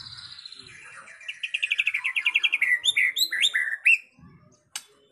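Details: White-rumped shama song from a training recording meant to make other shamas sing: a rapid run of about a dozen bright, even notes, then sweeping rising whistles and a single sharp click near the end.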